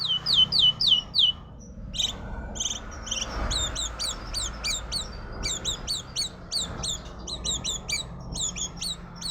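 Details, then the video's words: Magpie-robin delivering suara kuntilanak (ghost voice) song: a few loud falling whistles, a pause, then fast runs of short, hooked high notes repeated several times a second, with faint low background hum. "burung murai suara kuntilanak"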